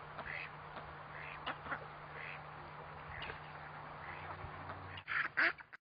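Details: Long-tailed duck giving a series of short nasal calls repeated roughly every second, ending with two louder, closer notes, against a constant low-frequency hum.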